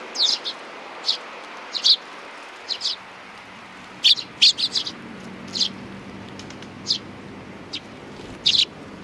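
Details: Hand-reared young sparrows chirping on 28 June 2019, with loud, crisp, high notes in irregular bursts of one to three, many chirps over nine seconds, and a faint low hum underneath.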